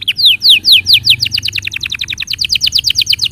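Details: Canary song for training young and silent canaries: a series of loud descending sweeping notes that speed up into a rapid, evenly repeated chopping tour of downward slurs.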